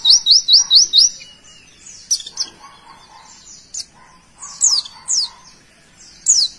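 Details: Pleci white-eye opens with a quick run of five sharp, high rising notes, then breaks into scattered single downslurred whistles with gaps between them, in the tembakan song style.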